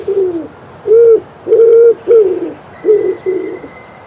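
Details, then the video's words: Spring cooing of a Common Wood Pigeon in Poland: a series of low, hollow coos, some level and sustained, some sliding downward, spaced in an even rhythm, with a thin high whistle from another bird near the end. "1.Gołąb Grzywacz (Ringeltaube)"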